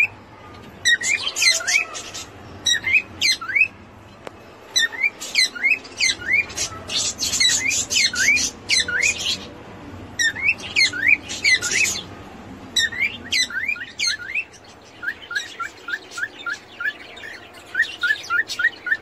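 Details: A pet cockatiel chatters in quick bursts of bright, chirpy notes, imitating speech by saying its own name for the first time.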